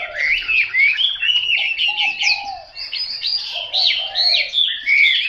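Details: Chinese hwamei kept at home, singing a rich, unbroken run of varied whistled and warbled phrases, with quick slurred notes sweeping up and down, and fainter lower hooting tones underneath at times.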